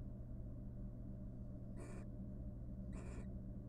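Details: A pair of wild barn owls court in their nest box after fledging three nestlings; two short, noisy hissing screeches about a second apart follow a quiet stretch of low hum.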